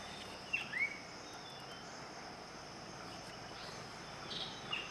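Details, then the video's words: Asian paradise flycatcher at Van Vihar, giving a couple of brief, sharp chirping notes near the start and another short pair near the end, over a steady, dense chorus of insects. "Asian Paradise Flycatcher"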